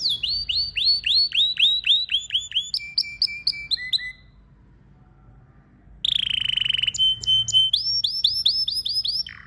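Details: Male domestic canary singing melodic phrases: repeated rising whistles, a lower steady tone series, a quiet pause, then a buzzy burst and more slurred whistles.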